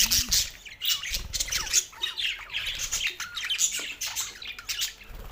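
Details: Pair of male pet budgies giving busy, overlapping chatter of high chirps, squeaky twitters and harsh squawks, loud and nearly unbroken throughout.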